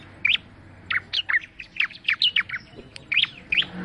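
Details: Song of the bar-winged prinia, called ciblek: a steady string of sharp, slurred high chirps at an even quick pace.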